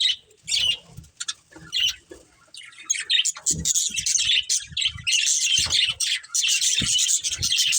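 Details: A breeding pair of budgies chirps in scattered short notes at first, then breaks into steady, dense high chattering; soft low thuds throughout.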